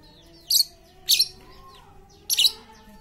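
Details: Lovebird chatter played as a lure to coax quiet lovebirds into song: three short, rasping, high squeaky bursts spaced about half a second to a second apart, against a quiet hum.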